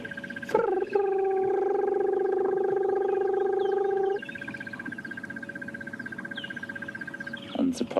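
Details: At sunrise on Dec 29 at Djuma Private Game Reserve, a Crested Barbet, the "alarm clock bird", gives a low, even, sustained trill lasting about three seconds under a steady high insect drone, with brief speech at both ends.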